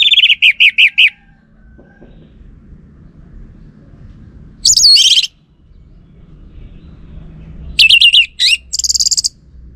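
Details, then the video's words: Lure song of the orange-headed thrush, played in North Bali to draw a reply from males: quick series of five bright repeated notes, then a high squeaky phrase, and later a jumble of rapid chirps and trills. "Ga Bunyi Dengan Pancingan Burung ANIS MERAH Ini dipastikan Itu Burung Betina, Jantan Pasti Nyaut"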